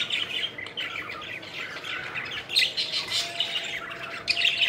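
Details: Several pet budgerigars at play, flying and chirping, a continuous scratchy warble punctuated by brighter whistled chirps and short squawks.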